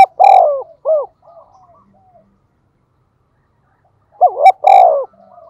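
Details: Decoy spotted dove calling readily in the thổ voice style, giving two cooing phrases separated by a pause. Each phrase has a drawn-out hollow coo followed by a short, arched note.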